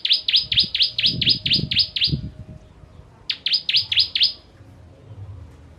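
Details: Bar-winged prinia, known locally as ciblek, singing for use in training contest songbirds: fast series of sharp, high descending chirps, about ten in a row, a pause, then a shorter burst of six, with faint low rumbling underneath.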